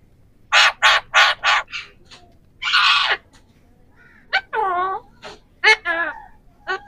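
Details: Three rose-ringed parakeets give a run of harsh, rasping screeches, then a noisy squawk and wavering, speech-like warbled chatter, calling back and forth.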